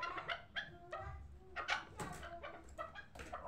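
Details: A young hybrid chukar partridge raised for fighting and hunting calls in short grating chucks, some spaced singly and others in quick clusters, over a faint low hum.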